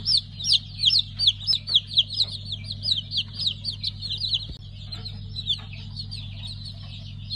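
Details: Pheasant chicks just out of the egg, five-colour stock, 3 August 2019: rapid high downslurred peeps, loud and fairly regular at first, then thinner and fainter, over a continuous low mechanical drone.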